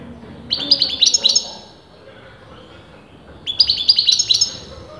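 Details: European goldfinch, its sex debated by breeders, singing two short bursts of quick, tinkling, stuttered notes about three seconds apart, against low background murmur.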